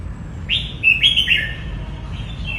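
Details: Red-whiskered bulbul song: one short, clear phrase of three or four rich whistled notes, slurring down then up, followed by a softer trailing note, over faint low background noise.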